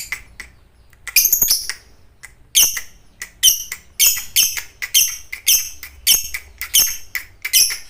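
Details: Fighter lovebird in full song, played for training other lovebirds: rapid series of harsh, squeaky chattering bursts, each about half a second long and repeated in close succession with brief gaps, over a quiet background.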